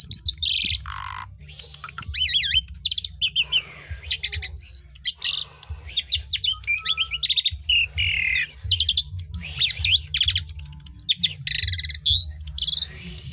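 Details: Asian pied starling in full song, used to stimulate other birds to sing: loud noisy squawks, chattering trills and scratchy whistles pour out almost continuously for over ten seconds, with a low hum throughout.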